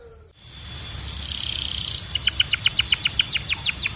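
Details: Belgian canary song that begins after a short stretch of hiss: a run of quick, high, downward-sweeping notes repeated several times a second, with a steady background hum.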